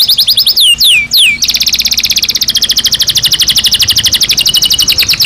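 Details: Belgian canary singing naturally: a few long falling whistles, then a loud, very fast, even trill of short notes holding for several seconds.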